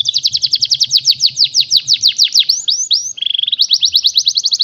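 A canary sings fast, high tours of repeated notes, first sweeping down-slurs, then a quick buzzy trill, about three notes a second, over a faint low hum.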